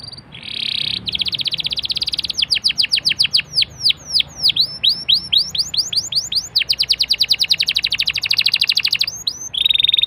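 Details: Canary song used as a lure recording to prompt other canaries to sing: a steady buzzy trill, then a run of fast rapid downslurred whistles, a dense rattling roll, and a closing buzzy trill.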